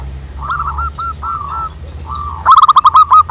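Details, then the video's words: Wild local zebra doves singing (manggung) in a busy chorus outdoors: soft, drawn-out mid-pitched coos, then a sudden loud run of rapid staccato notes near the end, over a low background rumble. "SUARA BURUNG PERKUTUT MANGGUNG RAMAI DI ALAM"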